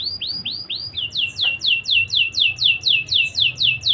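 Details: Singing canary used to stimulate breeding drive in young canaries: a few rising whistles, then an even, rhythmic series of falling chirps, about four per second.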